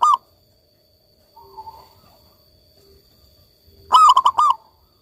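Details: Zebra dove, a local bird, ends one coo phrase, then after soft faint bird notes gives a full loud phrase of four rolling, throaty, stuttered notes.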